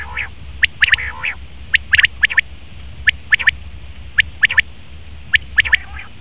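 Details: Male common quail calling: crisp, sharp notes near the upper-middle range, delivered in quick groups of two or three, with a few lower, rougher harmonic phrases between them; faint low background hum throughout.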